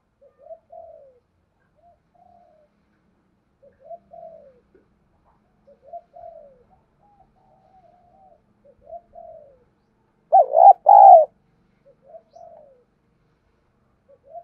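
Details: Decoy spotted dove used to provoke wild rivals: soft, low coos repeat roughly every two seconds, with one loud, throaty double-burst coo near the end, in otherwise quiet surroundings.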